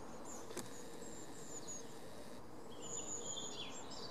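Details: A Long-tailed tit (Aegithalos caudatus) calls on 5 May 2019: very high, thin see-see notes and a short buzzy rolling trill near the end, over a steady low background rumble.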